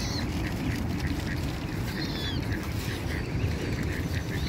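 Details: Ducks on a pond, said to be protecting their young, give steady, rapid nasal quacks in a repeated series over a constant low rumble of wind and water.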